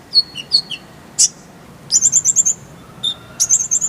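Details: Oriental white-eye, called konin, in a song recording for training caged birds: high thin chirps, a sharp burst, then quick sequences of bright repeated trilled notes.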